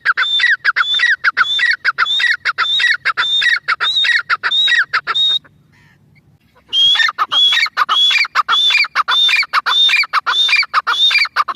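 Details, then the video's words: Grey francolin, called Irani teetar, in sustained excited calling: strident phrases repeated steadily, each topped by a high whistle. A short quiet break comes midway before the same rhythm resumes. "Irani teetar full Masti Awaz"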